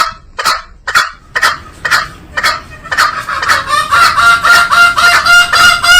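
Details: Green junglefowl: spaced raspy bursts that speed up into a continuous run of harsh calls, with a sustained nasal ringing tone underneath in the last two seconds.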